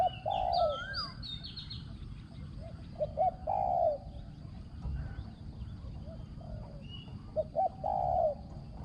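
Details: Spotted dove used as a ground luring decoy, with fine cooing delivery: three low coo phrases spaced a few seconds apart, each short notes then a long hoot, plus high whistled notes from other birds.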